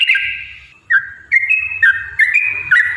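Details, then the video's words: Yellow-vented bulbul singing as a lure to make other birds sing: a series of short whistled, slurred notes rising and falling between phrases, over a faint low hum. "trucukan gacor TARUNG ROPEL PANJANG pancingan trucukan agar bunyi"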